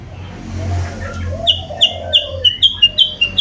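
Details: Sooty-headed bulbul lure call used to attract rivals: after a murmur, a run of sharp, high whistled notes repeated about three times a second, with soft low dove-like coos underneath.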